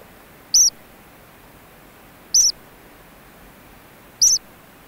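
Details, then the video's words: Three sharp, high-pitched cheeps, evenly spaced roughly every two seconds, from ancient murrelet chicks in their burrow on Frederick Island, against faint steady background noise. "Ancient Murrelet / Cheeps From Chicks In Burrow. Calls Become More Animated."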